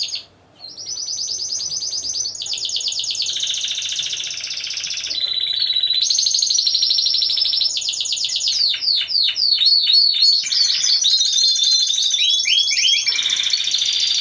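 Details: Contest song from a Timbrado Español canary team of four, 25 November 2015: after a brief silence, long sustained high trills shift pitch repeatedly, followed by fast repeated slurred notes and renewed rolling runs.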